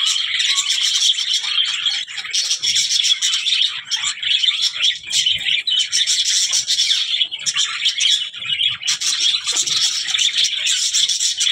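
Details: Budgerigars chattering, a long continuous flow of squeaky chirps, whistled notes and harsh rasps, dipping briefly now and then before picking up again.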